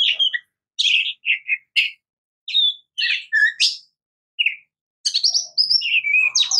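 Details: Oriental magpie-robin (murai kampung, kacer) singing short bursts of chirps, buzzy notes and sharp whistles separated by brief pauses, ending in a denser run of varied notes.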